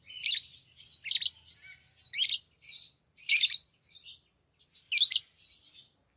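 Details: Tame lovebirds chattering and playing with rings: repeated loud shrill squeaky bursts roughly once a second, interspersed with softer twitters, in a quiet room.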